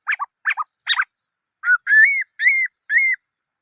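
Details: Black-throated laughingthrush giving three harsh, scratchy double notes, then four clear, slightly rising whistles, each about a quarter second long, in a regular sequence.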